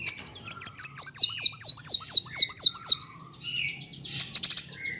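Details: Van Hasselt's sunbird (kolibri wulung) song used as a master recording for training other birds: a fast run of high, sharp zigzag chirps, about a dozen in three seconds, then a pause and a short trilled burst.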